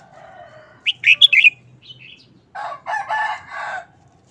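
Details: Red-whiskered bulbul in a cage giving a fast, chopped burst of sweet whistled notes, then a rough, drawn-out rooster crow behind it.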